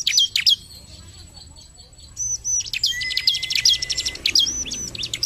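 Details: Bar-winged prinia singing in 'gacor narung' style to prompt singing: a few sharp high down-slurs, a quiet gap, then a dense burst of rapid buzzy chatter and whistled notes.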